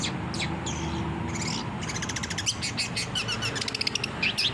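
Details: Long-tailed shrike in lively song, recorded for training caged birds. Scratchy, varied high notes start sparse and then run into fast rattling trills, over a continuous low background hum.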